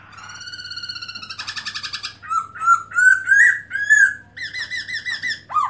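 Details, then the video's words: Melodious song of a black-throated laughingthrush, 2017, spreading its tail: a sustained pure whistle and a buzzy trill, then loud rising slurred notes and clipped repeated phrases ending in a sharp downward swoop. "Black-throated laughingthrush(Garrulax chinensis): Open-tail And Song Melodious Sound"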